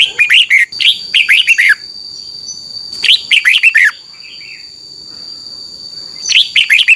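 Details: Red-whiskered bulbul song used to train caged birds, delivered as fast back-to-back phrases of chirpy whistles dropping in pitch. There is a short soft warble in a gap, and a constant high whine runs beneath.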